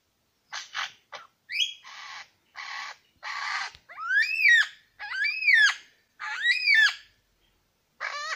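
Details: Superb lyrebird, one of two males at Lookout Point, New England National Park, sings a varied run: first short, hissing, rasping bursts, then loud, ringing, arched notes that rise and fall, repeated about once a second.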